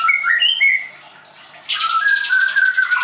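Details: Caged White-rumped shama at a Tangerang bird school; short clear whistles, a brief pause, then a dense buzzy burst over a sustained whistled note.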